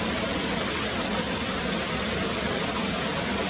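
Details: A fledged young White-throated Dipper being fed gives thin, very high, shrill begging notes about three times a second over the steady rush of running water.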